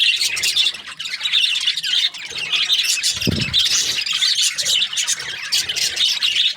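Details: Budgies keep up an unbroken high chattering chorus of buzzy warbles and chirps, with a brief low thump just after three seconds.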